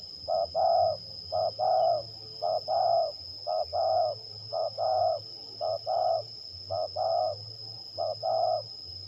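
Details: Spotted dove kept as a lure bird in a trial bout in Liwa, West Lampung, Indonesia, cooing mid-pitched paired phrases, a short note then a longer one, about once a second, over a faint low hum and a steady high electrical whine.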